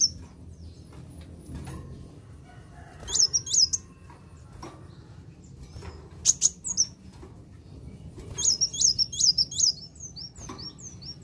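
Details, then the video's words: Kolibri wulung sunbird song used to provoke other birds: scattered short bursts of very high, sharp twittering notes, separated by quiet gaps and sharp clicks, ending in a quick run of slurred whistles over a steady low hum. "Ampuh Pancing Emosi Kolibri Wulung"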